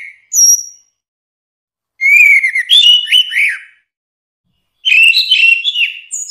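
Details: Orange-headed thrush singing: a short high whistled note, then two bursts of varied, fluty warbling phrases with quick rising and falling twists, separated by a pause of about a second.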